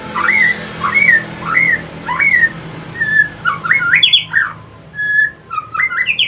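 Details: Evening song of a male white-rumped shama, pastol mutation, Aceh: several repeated up-slurred whistles, then a livelier mix of high chirps, sliding whistles and short trills over a soft hum.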